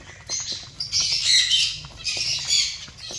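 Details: Zebra finch colony: after a short lull, a swell of overlapping nasal, buzzy calls rises and falls twice, with faint ticking sounds underneath.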